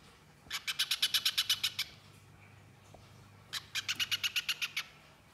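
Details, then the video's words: A spiderhunter (pijantung pisang) gives two bursts of about eleven quick, sharp chattering notes each, high and bright, with a short pause between bursts and a quiet background. "Burung Pijantung Pisang Gacor Mbeset Nyerecet Suara Jernih"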